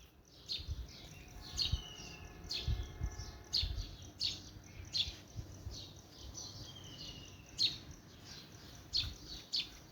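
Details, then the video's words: Birds chirping: short bright chirps, some with a brief sliding whistled tail, repeated about once a second over a steady low rumble and faint hum. "Birds Chirping"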